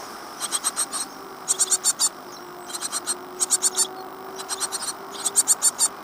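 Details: Nestling great tits in a birdbox at Falmouth, UK, 15 days after hatching in April 2011, producing repeated clusters of four to five sharp, hissing high-pitched begging notes roughly every second.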